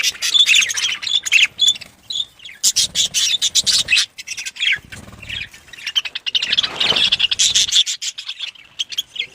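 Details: Budgerigars in a breeding colony with a feeding setup in Pakistan: many birds chattering at once, high warbling squeaks and chirps in dense bursts with short quieter gaps.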